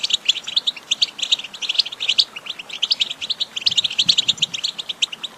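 A goldfinch sings a fast, tinkling twitter of high, bright chirps and trills, running on without pause and with no other sounds heard.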